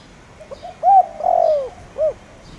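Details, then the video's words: Lure spotted dove, Thổ Đồng voice style, calling to provoke wild doves: a single phrase of a faint lead-in note, a bright coo, a long downward-gliding purred coo and a short closing coo, over quiet hiss. "Cu gáy gáy gọi kích bổi nhanh nổi/Tiếng cu gáy Thổ Đồng/Cu gáy mồi cây kích bổi nhanh gáy"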